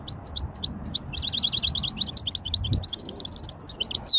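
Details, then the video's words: Light warm-up song of a hybrid goldfinch in widani style: brisk series of sharp, repeated chirps building into twittering phrases and a steady buzzy trill, finishing with a bright upslurred whistle. "توليعة خفيفة تغريد ويداني لهجين"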